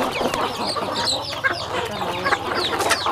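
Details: Chickens on a rural home farm while eating: a dense flock chorus of short, high downslurred peeps and soft clucks overlapping continuously, with scattered sharp pecking clicks throughout.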